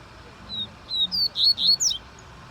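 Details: Double-collared seedeater singing a short phrase of high, sharp whistled notes that climb and grow louder over about one second, against steady low background noise.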